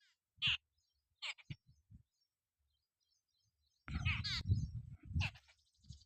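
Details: Jungle babblers eating bugs on a farm: harsh, grating chatter in short scattered bursts, then a longer noisy squabble, over low rumbling background noise.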